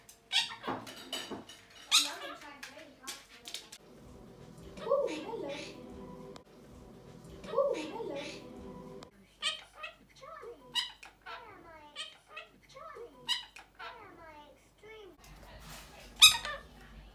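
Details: A pet male monk (Quaker) parakeet, 1 year 6 months old and still improving his speech, mixes squeaky chirps and sharp clicks with harsh, speech-like mimicked phrases.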